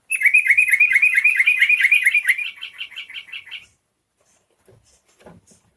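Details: Yellow-vented bulbul song used to provoke other bulbuls into singing: a rapid run of bright, slurred whistled notes, about two per second, fading after three and a half seconds, followed by faint soft clicks.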